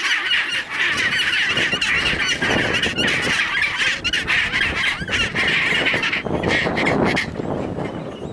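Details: Fighting chinstrap penguins in the Antarctic give loud, continuous, raucous braying calls that overlap in a dense, harsh chorus, with only a few short breaks over several seconds.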